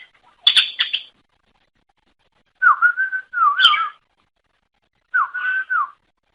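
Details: Greater green leafbird, lure song: a brief chirpy burst followed by widely spaced, lower, wavering whistled phrases, each about a second long, separated by silences.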